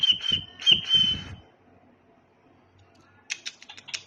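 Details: Tame pet cockatiel giving three steady high whistles in quick succession with clicking and tapping beneath, then a pause of near silence before a burst of sharp chirpy notes.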